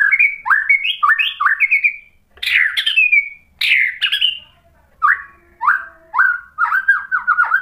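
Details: White-rumped shama song for provoking another bird: bouncing whistled pairs, harsh buzzy chattering bursts, then a series of rich descending slurred whistles, loud and clear with brief pauses.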